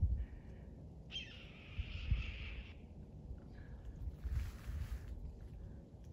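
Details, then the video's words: During a March walk in southern Kentucky, a red-tailed hawk in flight gives one long, hoarse, raspy scream slurring slightly downward, then a fainter rough note, over steady wind rumble. "Oh, it is a red-tailed hawk. Did you hear that?"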